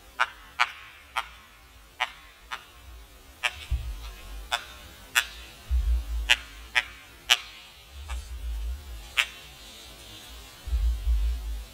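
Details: Woodpecker hammering a tree, slowed down: sharp, dry, isolated knocks at uneven gaps of roughly half a second to a second, with occasional deep low thuds underneath.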